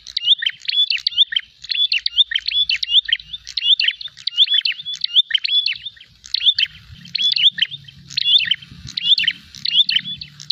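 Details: Fighting prinia searching for a rival, giving rapid ringing chirps and short whistled notes in steady repeated bursts, loud and continuous, with a low droning hum entering in the second half.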